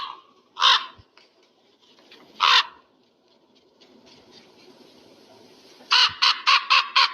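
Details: Eagle: two separate harsh single notes spaced apart, followed by a rapid string of five clipped, rasping notes.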